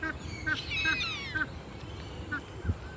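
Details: A black swan preening at Currumbin Wildlife Sanctuary, Gold Coast, Australia, gives short, nasal, bugling honks, four or five over three seconds, with a low background rumble.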